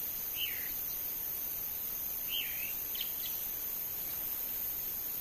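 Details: Wild chalk-browed mockingbird giving short slurred whistled phrases, each dropping in pitch, spaced about two seconds apart, with a few fainter high notes after, over a constant high insect-like hiss.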